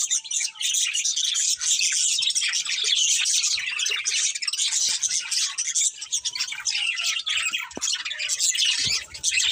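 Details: Caged budgerigar pair chirping in an unbroken, scratchy high-pitched warble, steady and loud throughout, with a faint tap near the end.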